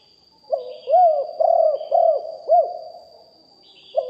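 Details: Deep-voiced spotted dove lure bird recorded live: a short opening note, then five round, hollow coos in one phrase, quiet after, and a new coo beginning at the close; a faint steady high tone behind.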